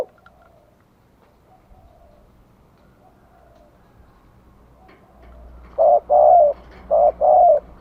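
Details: Faint distant cooing at first, then a spotted dove close by gives two loud short-long coo phrases, a lure call from Vietnam used to draw in wild birds; low background hum.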